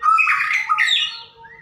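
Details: White-rumped shama song played to prompt singing: a dense, loud burst of harsh, chattering notes mixed with bright whistles, fading into a thin high whistled tail.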